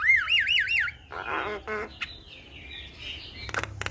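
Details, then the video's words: Javan myna opening with a string of looping, wavy whistles, then harsh buzzy grinding notes and a faint rising whistle, ending in sharp clicks over a low background hum. "Jalak Kebo Gacor Full Isian Sekali Putar Semua Jalak Bakal Nyaut"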